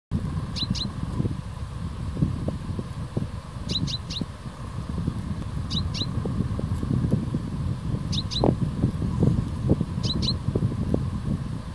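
Common chaffinch giving short, sharp high notes in quick pairs or triplets, repeated about every two seconds over a steady low rumble of traffic or wind.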